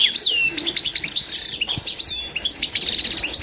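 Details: Authentic Constantine-strain European goldfinch singing a training song for learning birds: rapid twittering of sharp high chirps, buzzy notes and quick trills in an unbroken stream, with a brief fast rattling burst near the end.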